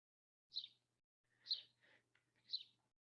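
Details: A House Sparrow, an urban bird, gives its typical blurry two-note chirps about once a second, three main notes with softer chatter between, over a faint low hum.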